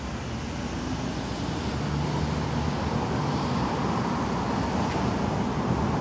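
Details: Continuous low roar of road traffic and wind, with no animal calls standing out.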